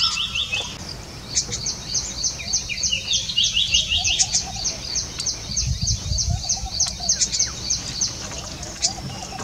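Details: Golden oriole chicks in a woven hammock nest beg as a parent feeds them, with thin, high chirps repeated rapidly, about three per second, an occasional lower note and faint background noise.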